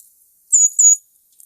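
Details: Brown Creeper, a winter bird of the Mendocino Coast that forages low in trees below kinglets and pygmy nuthatches, giving its two-note call: two very high, thin, clear notes in quick succession, each a fraction of a second, with near silence around them.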